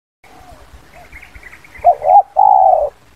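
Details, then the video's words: Spotted dove giving its 'kuk 2' style lure call, used for attracting wild doves: faint background chirping, then two short hooked coos and one long, steady, mid-pitched coo at the end. "Suara Panggil Pikat terkukur KUK 2"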